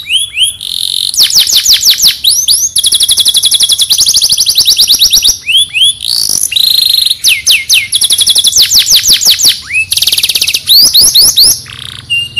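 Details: Caged canary from Temuireng, Petarukan, Pemalang, Central Java, Indonesia, delivering a long varied song of rapid trills, rattling rolls and high sweeping downslurred notes, broken by short pauses between phrases.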